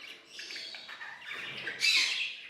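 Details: Pet budgerigars singing and playing: a dense, scratchy warble of chirps and chatter, steady at first, then a louder burst of bright, harsh notes near the end.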